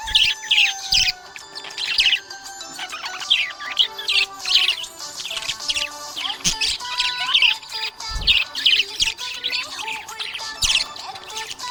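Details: Budgerigar in a happy mood, giving dense runs of sharp, squeaky high chirps and chattering warbles in quick clusters, while faint sustained tones hum in the background throughout.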